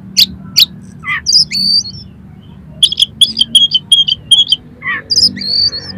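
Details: Harsh-material song of an oriental magpie-robin, played to stir up another magpie-robin: two sharp rasps, a descending grating note, high held whistles, then a quick run of stuttering chips and a final whistled phrase, over a low hum.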